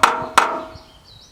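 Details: A male red-breasted sapsucker drums on a steel gutter drain, filmed remotely from inside a shop: two sharp, ringing knocks about a third of a second apart, each leaving a fading metallic hum.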